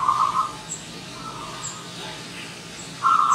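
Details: A local zebra dove (perkutut) sings in the morning, giving soft, mellow coos in two short bursts at the start and end, with faint high chirps from other birds between them.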